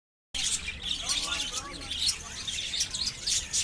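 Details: Little birds chirping: a dense, busy chorus of thin, high twittering notes and short tweets overlapping continuously, with faint lower murmuring beneath.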